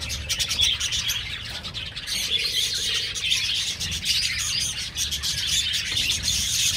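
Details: Budgerigar colony kept in an aviary, a steady wall of high-pitched twittering and chirping from many birds together, unbroken throughout, with faint low rumbling beneath.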